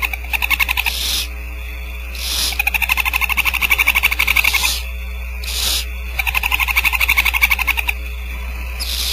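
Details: Barn owl nestlings, about four, receiving food from the female at Starr Ranch; short breathy hisses break in about every two to three seconds over a dense, fast, rising pulsed chorus.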